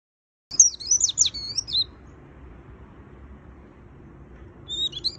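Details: Caged white-eye in fast, high-pitched twittering song: a dense burst of sharp, rapidly modulated whistles and chirps for about a second and a half, a pause with faint low background hum, then another brief twittering phrase at the end.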